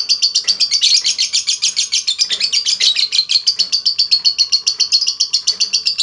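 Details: Lovebird in sustained 'ngekek panjang', a long chattering trill played to spur other lovebirds into song; shrill, fast-pulsed notes run continuously, pitch wavering slightly.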